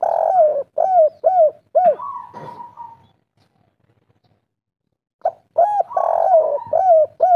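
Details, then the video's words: Energetic spotted dove (derkuku) of local type in kuk 3 song. Repeated looping coos run into a long level note, then silence, then a new phrase opening with a rolling coo and more hooked coos. "derkuku kuk3 lokal gacor ngamuk"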